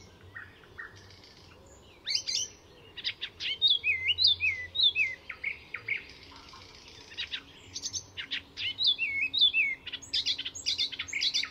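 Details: Icterine Warbler in full song at Fysingen reserve, north of Stockholm, Sweden, mixing borrowed calls of other species into its own repertoire: after two quiet seconds, long stretches of varied chirps, slurred whistles and harsh notes.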